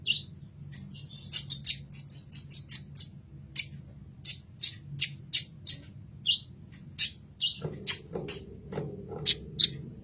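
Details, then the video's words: Kolibri ninja sunbird singing as a masteran recording: rapid high thin chirps and short sharp notes in quick bursts, with a brief buzzy trill near the start and a steady low hum underneath. "Kolibri Ninja Masteran"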